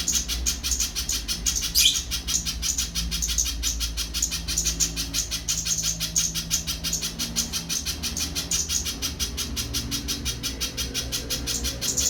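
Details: A long, even series of bright, high chip notes from a little spiderhunter, close to three per second and barely changing in pitch, over a faint low-pitched drone.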